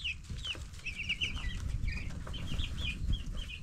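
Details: Broiler chicks ten days old, growing fast, keep up a busy chorus of shrill peeps in quick bursts over a loud low rumble and occasional soft thuds.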